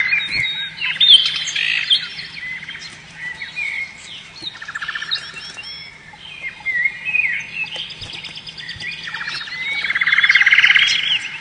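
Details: Singing canary at home, a pet yellow bird, delivering a continuous varied warble of trills, rapid rattling rolls and twittering phrases, with a steady low hum beneath.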